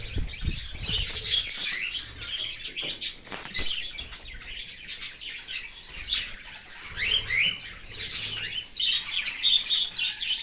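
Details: In an open aviary, an Australian cockatiel parent feeds its baby from outside the nest; long stretches of harsh, wheezy rasping come in surges, broken by brief quieter gaps and soft low thumps of movement.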